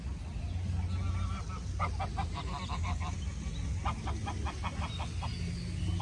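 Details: A duck, filmed among ducks and pigeons in Puebla, Mexico, in 2020, gives two quick runs of nasal, honking quacks, several per second, over a steady low rumble of background noise.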